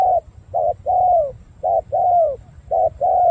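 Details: Spotted dove from Cà Mau cooing in a well-patterned style: low hollow phrases, each a short note followed by a longer coo that slides gently downward, repeated three times with brief pauses and faint low background hum.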